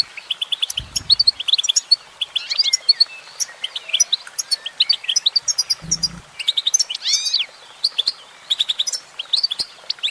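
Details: Female goldfinch singing: rapid, high twittering of bright chirps and short trills in quick bursts, some notes sliding up and down, with two brief low thumps near one and six seconds.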